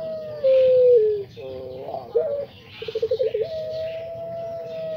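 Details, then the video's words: A Barbary dove (puter pelung, a Indonesian 'anggungan' cooing dove) gives a long, steady, low coo that sags slightly, then a stuttering run of quick pulsed notes and another drawn-out coo over faint background hiss. "PUTER ISTIMEWA pelung jodoh | pelung gacor"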